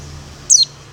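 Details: Female Oriental white-eye calling to the male: a single sharp, high whistled note that sweeps quickly downward, loud and brief against a quiet low hum.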